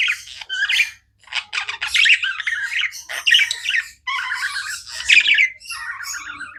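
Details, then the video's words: Budgerigars kept as pets keep up a steady chattering of squawky chirps, whistled warbles and raspy trills, with one brief pause near the start. "Budgies non stop chirping sounds"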